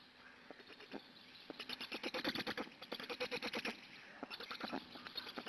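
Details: Black storks at a nest in Hungary during a feeding on 3 June 2017, morning: a rapid series of rough, rasping pulses, roughly three per second in bursts, over steady background hiss.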